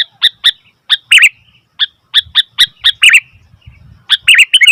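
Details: Sooty-headed bulbul calling noisily, giving short sharp chirps followed by quick slurred phrases in loose groups separated by brief silences.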